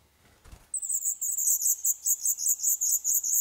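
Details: Black redstart nestlings, eleven days into nesting, in an old stove pipe of a building in Poland awaiting demolition; after a soft rustle, a sudden burst of shrill high chirping starts and continues rapidly and steadily.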